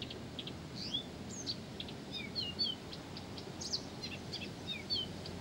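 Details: A Blyth's reed warbler keeps singing: short high slurs, downward whistles and clicking notes in a busy, irregular string, with faint background noise.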